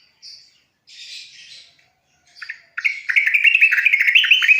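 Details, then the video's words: Yellow-vented bulbul song for teaching young birds: a few soft, airy high notes with pauses, then at about three seconds a loud, rapid chattering warble that carries on to the end. "BURUNG TRUCUKAN bisu langsung bunyi"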